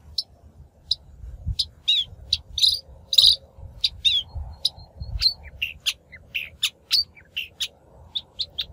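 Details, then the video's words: Shrike calls from a lure recording meant for trapping or coaxing wild-caught birds to sing; scattered short, sharp high notes and brief tweets, irregularly spaced, with faint low background hum. "Tiếng chim Bách Thanh mồi mới nhất 2023"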